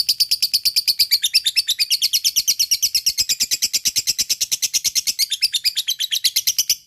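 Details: Lovebird fighter's ngekek chatter, used to prompt reluctant lovebirds to sing: about seven seconds of fast, uniform, piercing high notes, a dense metallic rattle that barely changes in rhythm.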